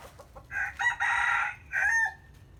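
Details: Morning crow of a rooster: a few soft clucks lead into a loud, strained multi-part crow with a long held middle note and a dropping end.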